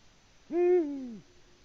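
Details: Latvian male Eurasian eagle-owl calling unanswered for a mate, 18:06 on 6 March 2019, live camera; a deep, mellow hoot with a steady start and a downward-curving end, surroundings otherwise still.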